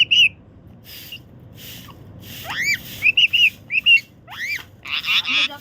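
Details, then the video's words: A pet parakeet gives a quick run of harsh squawks and sharp rising chirps, about a dozen in five seconds, ending in a raspy screech over a faint low hum. "আমাদের টিয়া পাখিটা কি বলছে কে জানে।"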